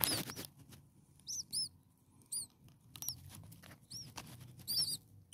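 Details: Hungry common starling nestlings, six in the nest, a few days old, produce high piping squeaks in pairs and short runs, with rustles and faint clicks between them.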